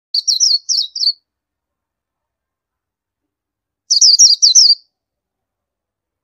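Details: Indian white-eye giving two short bursts of thin, high chirps, each a rapid string of three to four wavering notes, separated by a few seconds of silence; no other sounds.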